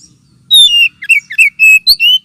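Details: Oriental magpie-robin lure sound, used too as therapy for unaggressive birds: loud clear whistles, a long descending note then shorter slurred and level whistles in quick sequence.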